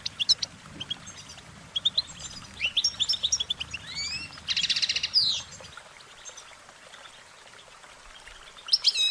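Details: Goldfinches singing: quick high twittering notes and short trills, with a buzzy rattling burst near the middle before the song quietens and resumes with a few sharp chirps at the end.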